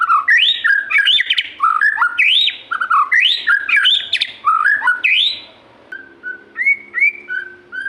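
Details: White-rumped shama singing loudly, fast repeated swooping whistled phrases with rising and falling notes for five seconds, then quieter short whistles.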